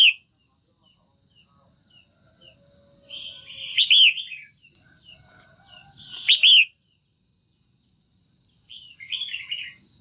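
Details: Caged female red-whiskered bulbul calling to attract a male or pair up: soft short notes building to loud twisting chirps roughly every two to three seconds, ending with quieter chatter, a steady high whine throughout.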